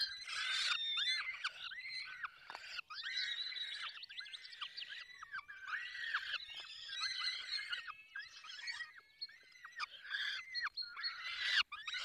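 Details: At a falcon nest in the Barycz Valley, Poland, while the birds are fed: a long run of rapid, arching squeals and wails, many voices overlapping, pulsing with short dips between phrases.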